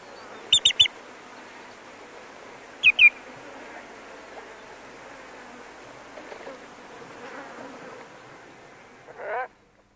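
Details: A greenshank at Ngorongoro, recorded close up, gives loud, ringing alarm notes in short bursts of two or three that grow more extreme, over a steady hum of buzzing flies.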